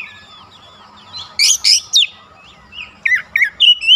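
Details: Provocation song of the oriental magpie-robin, starting with soft warbles, then three harsh loud bursts followed by quick rising and falling whistled notes.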